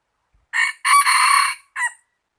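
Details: Single cockerel crow in three parts: a clipped first syllable, a sustained strong central note, and a short dropping tail, clean with no other sounds.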